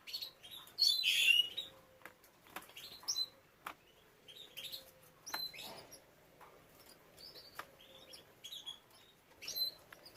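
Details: Captive breeding canaries with young: a loud twittering burst opens, followed by many quick, thin, high chirps scattered irregularly throughout, some clicks between.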